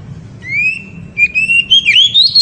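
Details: Loud oriental magpie-robin ngeriwik song meant to excite a female: long, steady, clear whistles that rise gently in pitch, followed by faster warbled notes toward the end over a low hum.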